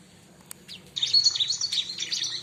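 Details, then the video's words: Bar-winged prinia lure song: after a near-silent second with one sharp click, a loud, continuous rush of high, twittering chirps fills the rest of the burst. "suara burung ciblek"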